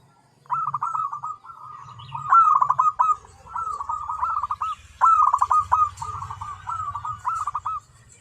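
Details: Zebra dove delivering a nearly continuous string of rolling, stuttered coo phrases, each ending in a brief upward flick. A low rumbling hum runs underneath.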